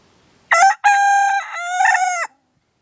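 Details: A 2-year-old free-ranging Silkie rooster crows in the morning: a short opening note, then a long harmonic-rich cry that dips and rises again before breaking off. No other sounds.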